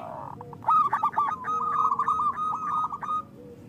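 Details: Loud local zebra dove cooing, kept to lure wild doves for trapping and to encourage silent birds; a short stuttering start runs into a fast, rolling trilled coo lasting over two seconds, with a faint lower tone beneath.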